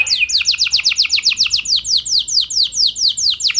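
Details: Canary singing as a lure for other canaries: a steady tour of clear downward-sweeping whistled notes, about five each second, repeated evenly throughout.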